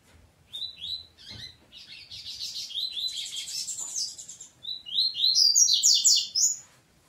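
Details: Double-collared seedeater fighting with its family: rapid high chirps and twittering notes, dense buzzy chatter through the middle, then sharp rising chirps in quick succession toward the end, about three per second; otherwise quiet.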